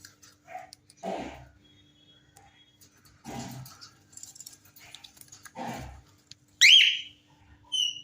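A cockatiel gives a loud, shrill, wavering screech followed by a shorter high whistle.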